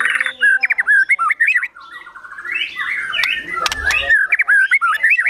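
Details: Singing white-rumped shama, agitated and vigorous in gacor emosi style with borrowed sogon and kunti phrases. Wavering whistled notes tumble rapidly, broken by a harsh scratchy passage and sharp clicks before warbling resumes.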